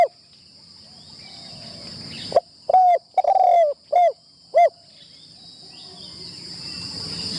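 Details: Spotted dove decoy, trained in a trapping enclosure for the first time. It delivers a quick sequence of five or six mellow coos, one longer and wavering, each dropping slightly in pitch. Quiet rustling and a high steady whine lie beneath.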